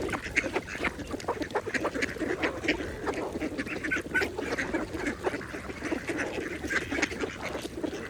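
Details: Mallards feeding peacefully at a pond give irregular rasping quacks and soft chuckling notes, overlapping with continuous splashes and water movement.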